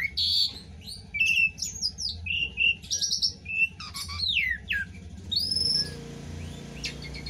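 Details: Varied mimicry song from an Asian pied starling, said to copy leafbird, magpie-robin and bulbul: squeaky chirps, rattling bursts and slurred rising whistles, fading into hiss with steady low hum.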